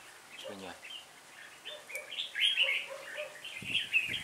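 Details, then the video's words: A red-whiskered bulbul acting as lead decoy to call its flock, trapping day of 26 November 2017, gives rich warbling chirps that grow louder midway, mixed with short clicks and rustling noises. "Bẫy chào mào Đầu đàn dẫn 20 mạng"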